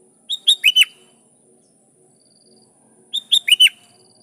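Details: Sooty-headed bulbul song meant to call rivals: two matching phrases about three seconds apart, each of four quick bubbly whistles ending in a slurred drop, with quiet between them.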